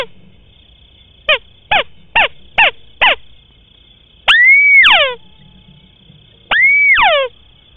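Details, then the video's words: White-browed crake lure call for swamp and rice-field hunting. It opens with five short, sharp downslurred notes, then two longer paired calls, each a rising sustained whistle and a falling harsh note. A constant high whine runs underneath. "Suara asli & Jernih burung tikusan alis putih"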